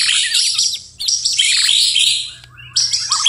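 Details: White-rumped shama singing at night: a dense, rich stream of high whistles, rapid trills and sweeping notes, nearly continuous with a short dip in volume before a fresh burst; a faint low hum underneath.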